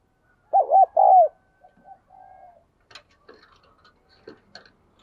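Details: Spotted dove with the 'đồng kim' voice, a very diligent cooer, used to coax newly caught birds into cooing: one loud hoarse coo phrase of four notes, the last drawn out and falling, followed by faint scattered chirps and rustles.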